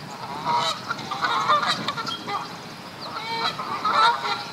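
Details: Several Canada geese in mating season, fighting over females, honk in loud, nasal, overlapping bursts in two clustered waves about a second apart; April 2015, Duke Farms, New Jersey.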